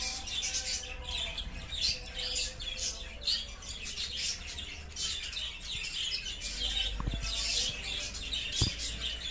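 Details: Turquoise parrots (Neophema) newly added to an aviary keep up a soft, high twittering chatter of quick overlapping chirps, with a low background rumble and a couple of sharp knocks near the end.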